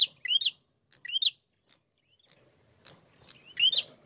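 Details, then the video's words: Bar-winged prinia in a vigorous, combative lure recording meant to provoke other birds to sing: sharp rising upslurred notes, given singly and in quick pairs, spaced by short pauses, with faint low background rumble. "Pancingan Prenjak Gacor Narung Mantap"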